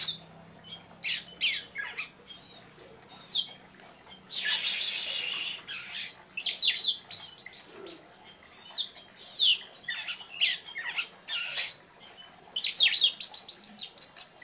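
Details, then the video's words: Lively Oriental magpie-robin song full of sharp 'shot' notes: bursts of high whistles and chirps separated by short pauses, with a loud rough squawk midway and quick trilled phrases toward the end. "kacer gacor tembakannya pedas"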